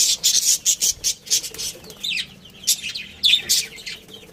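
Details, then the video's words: Budgies of a breeding pair chirp in a quick series of sharp, scratchy high notes, then softer warbling and a few louder bursts. "Cute Budgies Chirping Sounds"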